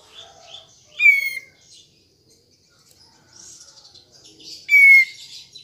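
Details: Kapas tembak bulbul recording used to prompt stalled or lazy birds into singing: two loud, sharp downslurred whistled notes about four seconds apart, with soft twittering between them and otherwise quiet.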